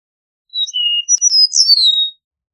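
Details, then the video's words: Eastern meadowlark singing one clear whistled phrase of about one and a half seconds: a short high note, a lower drawn-out whistle, then a quick jumble of high notes slurring downward to finish; background otherwise silent. "Eastern Meadowlark Song! Eastern Meadowlark Call! Sounds! - Pradero Oriental Canto"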